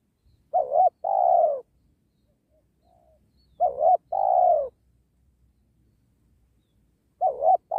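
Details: Cooing of a spotted dove calling to draw wild doves in during trapping near a sacred tree; short quavering notes then a longer mellow coo, repeated about every three seconds, with a third phrase starting at the end.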